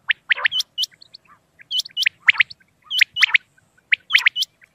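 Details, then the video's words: Single male common quail calling at night, used for hunting: quick three-note 'wet-my-lips' phrases of sharp, liquid, upslurred notes, repeated roughly once a second. "بیٹر کی آواز رات کے وقت"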